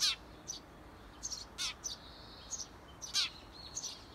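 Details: Wild Eurasian tree sparrow parents outside the nest box of 17-day-old nestlings, encouraging them to fledge: loud, harsh chirps in an uneven series, with softer high twitters between, over light hiss.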